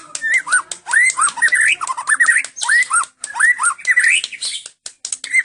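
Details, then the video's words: Medan white-rumped shama singing mixed phrases of loud, looping whistles that rise and fall, with squeaky hooked notes repeated in bursts and short gaps between them. "kicau murai batu medan full cililin"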